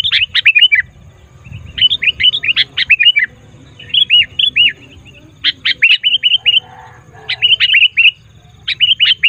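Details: Noisy sooty-headed bulbul calls, used to draw wild bulbuls to gather: busy bursts of bubbly, chirping notes in rapid runs, phrases repeated over and over with short pauses, loud and close.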